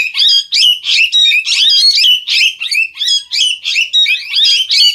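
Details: Parrot giving harsh, raspy squawks in a steady run, about three per second, each a rough rising-falling note, with no pause for five seconds.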